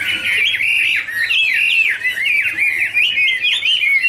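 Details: Chinese hwamei warbling in a wing-fanning dance duet: strong whistled phrases with abrupt downward slurs and hooked notes, repeated roughly once a second with short gaps.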